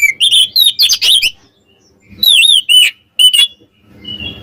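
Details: Oriental magpie-robin (kacer kembar) singing to provoke rival birds: loud, varied whistled phrases with slurred rising and falling notes in two bursts, a short pause between, then faint low rustling at the end.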